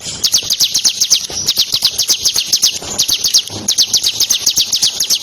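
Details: [['Lively, high-pitched bar-winged prinia (Ciblek Kristal) song used to train competition songbirds: fast repeated slurred notes, around four per second, continuing with hardly a break.']]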